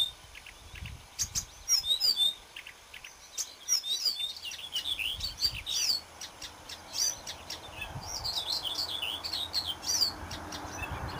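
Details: Marsh warbler singing on 30 May 2010: a fast, busy stream of high chirps, sharp ticks and short trills, phrases tumbling one after another with hardly a pause, over faint low background rumble.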